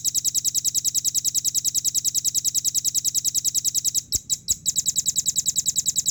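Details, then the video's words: Singing velvet-fronted nuthatch from Indonesia, caged, pouring out fast shrill repeated notes at a tight, steady rhythm. A short ragged break comes past four seconds, then the rapid chipping resumes. "MASTERAN RAMBATAN PARUH MERAH RPM NEMBAK SPEED RAPAT JERNIH JEDA"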